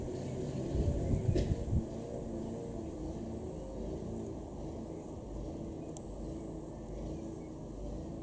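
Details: Low rumbling traffic or engine noise outdoors, with no animal calls.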